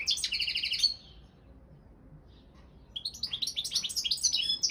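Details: Singing-contest goldfinch of the Balkan form: a short burst of buzzy repeated trill notes, two seconds of quiet, then a fluid run of high liquid twitters and slurred chirps.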